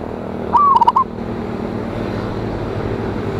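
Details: Single song phrase from a local zebra dove recorded to provoke rival birds, dated 26 January 2025: a rising opening note tumbling into rapid staccato coos, followed by steady rushing background noise.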